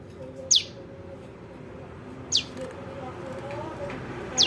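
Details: ['Young prinia calls used as a lure for trapping: three thin, high notes falling sharply in pitch, spaced about two seconds apart, against a low steady background.']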